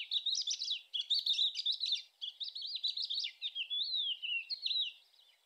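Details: Thekla's lark singing on 25 April 2021: a fast, varied run of high twittering notes and slurred whistles, broken by brief pauses, with nothing else audible.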